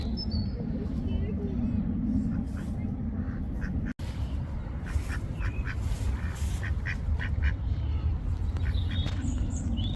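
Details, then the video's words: Wild duck giving bursts of rasping quacks, clustered mostly in the second half, over constant low-pitched background rumble with a brief dropout of sound partway through and occasional thin bird chirps. "Duck Sound | Duck Quack Sound Effect | Duck Sound Effect | Wild Duck Sound"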